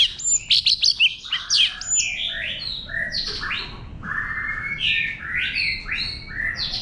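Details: Forest-voice White-rumped shama song for exciting freshly caught birds: a rapid string of clicking and whistled notes, then buzzy, harsher warbles and scratchy phrases at a steady pace.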